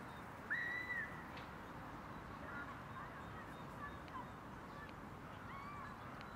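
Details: A common moorhen in Tivoli landscape park, Ljubljana, on 10 February 2023, gives one short, arched, croaking note early on; faint calls from other birds follow over a steady rush of background noise.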